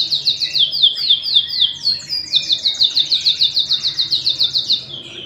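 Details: Domestic canary; a male and female pair with chicks fed in the nest. A loud, continuous song of rapid repeated notes, rolling trills linked by quick downward slurs, with about twenty even pulses in the second half.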